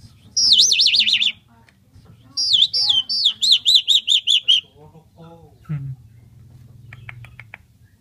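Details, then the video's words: Asian pied starling singing energetically, said to imitate human voices: loud high whistled warbles with fast wavering trills, a short pause, then a run of about eight quick repeated whistled notes, ending in a low hum and faint clicks. "Jalak suren gacor Unik meniru suara orang"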